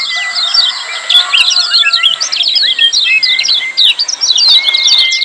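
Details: Rowdy lemon-bellied white-eyes calling ciak without pause: clustered sharp high twitters, plus several long flat whistles and brief curving notes underneath.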